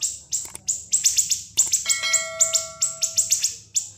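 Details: Caged siri-siri singing a sharp, piercing training song for other cage birds: rapid high shrill notes in bursts, with a few long pure whistled tones held steady near the middle.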